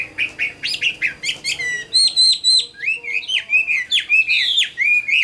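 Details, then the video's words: Chinese hwamei, a caged adult bird caught in the wild and praised for its voice, delivers crisp, rhythmic whistled notes and swooping slurs in quick succession, loud and clear. "Tam Hoàng, Tố Chất Giọng Hay. Chim Chuẩn Già Rừng"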